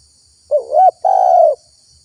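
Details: Spotted dove lure call used to attract wild doves: a soft wavering coo that rises, then a longer, steady, mellow coo, under a faint constant high hiss.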